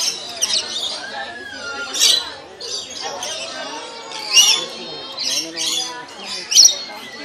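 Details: Lorikeets at a zoo feeding exhibit where visitors offer cups: harsh, shrill squawks burst out about every two seconds over steady visitor conversation and a woman's voice.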